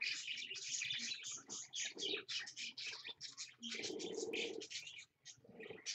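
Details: A parakeet and two babies chatter at 6 AM on 1 April 2015: busy, dense, scratchy bursts of high chirps and squawks, with a lower, harsh buzzing call near the middle.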